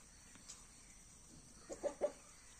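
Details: Backyard farm chickens in a cage during the morning rush for food: three short, quick clucks close together near the end, after a quiet stretch of low steady hiss.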